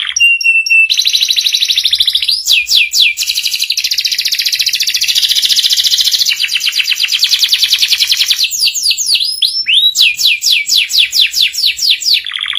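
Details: Long canary master song for young canaries to learn ngeriwik: a rising whistle, extended buzzy high trills interrupted by bursts of sharp descending sweeps, then quick repeated rolling notes.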